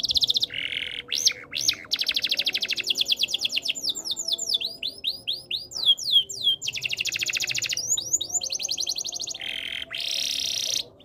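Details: Canary song of rapid trills and rolls high in pitch, fast buzzy repeated notes switching to series of sweeping downslurred whistles, then back to dense rattling trills, with brief pauses between phrases.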